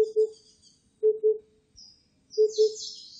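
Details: Oriental cuckoo (Cuculus optatus), recorded 2020, gives low, hollow double hoots, "poo-poo", repeated about every 1.2 seconds, with faint high insect-like buzzing above.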